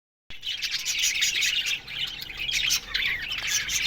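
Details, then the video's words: Budgerigars in an aviary colony chirping in the morning: a dense, continuous chorus of high, scratchy warbles and chirps from many birds overlapping, starting after a brief silence. "Budgies Morning Chirping Sounds"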